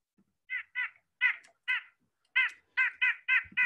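White-breasted Nuthatch giving nasal, honking 'yank' notes, about nine in quick uneven bursts, each low and reedy with a slightly hoarse edge; a faint thump near the end.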